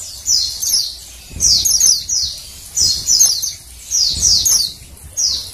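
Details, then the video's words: Female Oriental white-eye, calling to stir males to sing, gives clustered pairs and triplets of high, falling chirps in bursts about once a second. "suara PLECI BETINA penggacor PLECI JANTAN"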